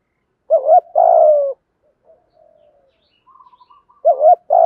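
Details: Spotted dove calling in the 'thúc gù' Vietnamese style for training newly caught doves: a wavering short note and a drawn-out falling coo, then faint soft murmurs before the next phrase begins.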